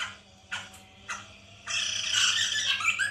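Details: Captive white-crested laughingthrush lure recording, meant to prompt another bird to sing: a few short isolated notes, then a sudden sustained burst of harsh, dense, cackling chatter, with a constant low hum beneath.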